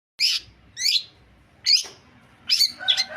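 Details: Long-tailed shrike, called cendet in Indonesian, giving four short harsh buzzy bursts spaced about half a second to a second apart, the last pair running into a scratchy rattling phrase; quiet background.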